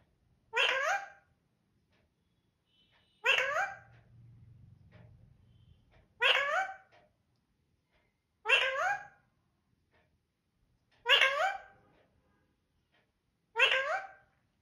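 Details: Talking pet parrot saying "mithoo" indoors, repeating a short harmonic, speech-like phrase six times about every two and a half seconds, with a low human voice humming briefly between the second and third phrases.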